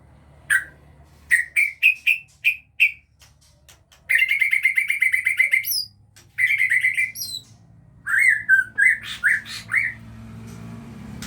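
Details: Captive-bred Aceh white-rumped shama whose chicks are beginning to fly. Short sharp chirps come about twice a second, then a fast buzzy rattled series, then varied whistled and chirped notes, over a low hum.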